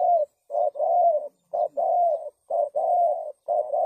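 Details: Spotted dove call used to lure doves into traps, a clean recording of paired coos, each a short note then a longer level hoot, repeated about once a second.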